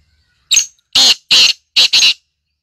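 A black grouse gives five harsh, breathy hissing bursts, a pair, then a single, then a quick pair, roughly every half second, against silence.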